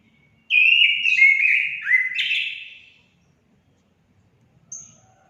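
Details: Orange-headed thrush singing, played to encourage pet birds to sing: a loud phrase of downward-stepping whistled notes with buzzy overtones lasting over two seconds, followed later by one short high note.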